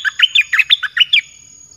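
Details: A caged red-whiskered bulbul pours out a 'dok taeng' song for luring wild birds: a rapid string of about nine chirpy, slurred whistles over roughly one second, then quiet with a thin steady tone.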